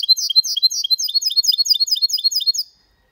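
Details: Goldfinch × canary hybrid singing Malaga-style song without errors; dense high twittering notes in quick succession, then rapid repeated chirps that stop after under three seconds.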